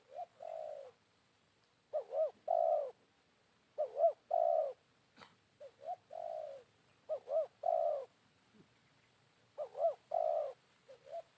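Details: Wild spotted dove answering a decoy bird at midday after a rainy morning. Low cooing phrases repeat roughly every two seconds, each made of two quick looping notes and a longer purring coo. A brief click is heard midway.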